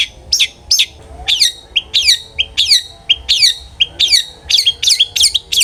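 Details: Long-tailed shrike song meant to lure birds to sing: repeated sharp downslurred chirps about one per half second, alternating with short clear whistles, bright and insistent throughout.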